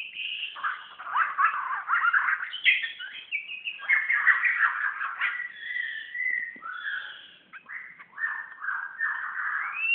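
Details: A magpie-robin sings back at its mirror image, recorded in Brunei in 2013. Its continuous, fast-changing song mixes clear whistles, rapid trills and scratchy notes with hardly a break.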